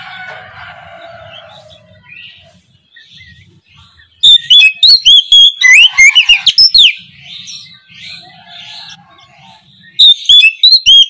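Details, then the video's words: Oriental magpie-robin in the morning giving 'ngeplong' song: after soft background chatter, vigorous bursts of rapid, sweeping whistles, pausing and then resuming at the end. "KICAU PANCINGAN KACER NGEPLONG DI PAGI HARI"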